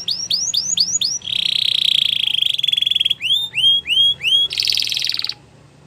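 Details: A female Belgian canary sings in the morning: a quick series of rising whistled notes, then a long buzzy trill, more upslurred whistles and a final rapid rattle, all high-pitched.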